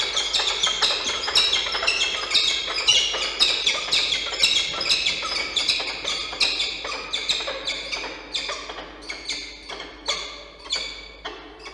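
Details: Wild peregrine falcon pair meeting at the nest in Orange, New South Wales, Australia, on 16 April 2024: harsh, grating calls repeated rapidly, about two per second, in a steady chattering series that slowly fades toward the end.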